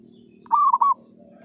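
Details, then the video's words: A single loud coo from a local zebra dove in full song, a brief rolling phrase broken into three quick notes, over a steady low background hum. "perkutut lokal gacor suara asli"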